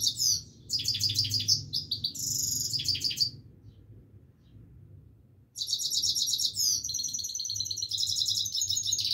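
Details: Himalayan goldfinch singing continuously: bursts of fast, high, metallic twittering and trills, a pause of about two seconds, then another long rapid twittering run, over a steady low hum.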